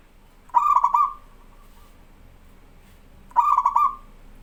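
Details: Local zebra dove (perkutut) in song, an energetic singer used as a tutor bird: two cooing phrases, each a quick stuttered burst of three or four notes ending in a sustained coo, about three seconds apart.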